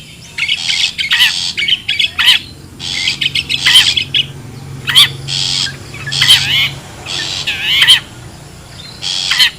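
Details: Long-tailed shrike in the wild, a call used to lure birds: a long run of short rasping squawks and clipped chattering notes, bunched irregularly with brief gaps.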